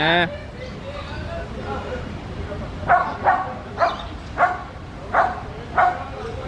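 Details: After a brief sound at the start and a quiet stretch, a macaw concealed among branches utters six harsh, grating squawks at steady intervals of about half a second.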